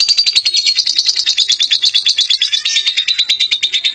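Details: Lovebird giving a long chattering song called ngekek: rapid, dense high chatter repeated about three times per second, steady and unbroken throughout, with no other sounds.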